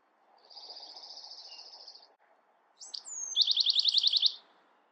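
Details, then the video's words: Bewick's wren song: a long, thin, level buzzy trill, a pause, then a phrase with sharp opening notes, a falling whistle and a loud, rapid rattle of about a dozen pulses. "Beautiful Bewick's Wren Songs |Calling | Singing!"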